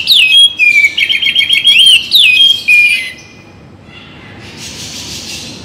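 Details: Oriental magpie-robin pouring out rapid whistled phrases with wavering trills and sliding notes for about three seconds, used mornings and evenings to excite other songbirds; then faint hissy background.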